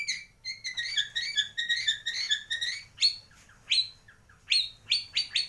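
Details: Borneo white-rumped shama, the 'gembung' type from Kalimantan, singing a mimicry-filled song: rapid bright chirping phrases in dense bursts, then separate sharp clipped notes repeated about once a second, with a faint low hum beneath.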